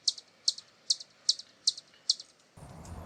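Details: Hummingbird giving high, dry doubled chips, each a bright tick followed by a softer echo note, spaced about every half second; a low rumbling noise cuts in for the final half second.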